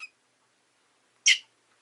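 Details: A single loud, harsh high chirp from a rosy-faced lovebird kept as a pet, following the tail of an earlier note, with silence around it.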